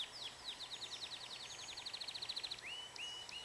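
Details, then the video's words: Pet canary singing: a fast run of repeated downslurred high notes, about eight per second, speeding into a tight trill, then a few rising whistled slides, over a soft background hiss. "My canary singing"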